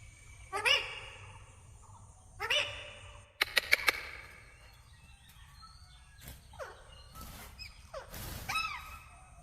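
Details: Pakistani pet parrot said to be talking in Urdu while eating corn: two short harmonic squawks, a quick burst of sharp clicks, then several descending chirped calls near the end over a quiet background.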